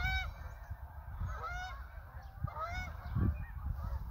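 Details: Canada geese in a flock of hundreds calling: clear, repeated two-part honks, some sliding upward, with more geese honking behind and a low rumble throughout.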